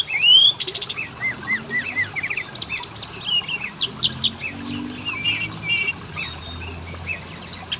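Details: Oriental magpie-robin song as a lure for males and females: a rising whistle, a string of short repeated down-curved notes, then fast high trills and chattering bursts with a thin high whistle.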